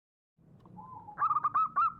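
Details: Local wild zebra dove singing actively, recorded for use as a trapping lure: a soft, low wavering coo gives way to a quick run of bright, clipped cooing notes that grows louder toward the end.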